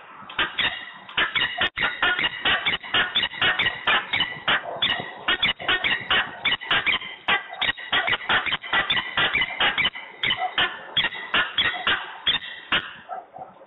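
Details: Quarrelling peregrine falcon, Włocławek, 15 November 2020, early afternoon, giving a long unbroken series of hoarse, scratchy cackling notes at about two or more per second, steady and insistent throughout.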